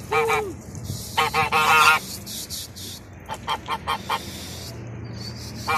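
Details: Geese in a paddy field in Taitung, Taiwan, giving harsh, nasal honks in short pairs and clustered bursts, one long rough honk near two seconds, then quieter scattered honks over a steady background rumble.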